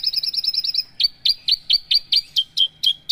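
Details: Javan bush lark song from a caged bird: a quick stuttering run of high chips, then evenly spaced, sharply descending whistled notes repeated about twice per second, clean with no background noise.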